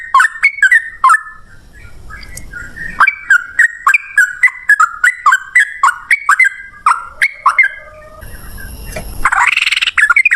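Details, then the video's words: Lure recording of sooty-headed bulbul singing to prompt caged birds to reply: fast run of short bubbling chirped notes, several per second, ending in a louder harsh chattering burst. "suara trucukan gacor ROPEL NGALAS, pancingan trucukan agar bunyi jadikan burung trucuk nyaut gacor"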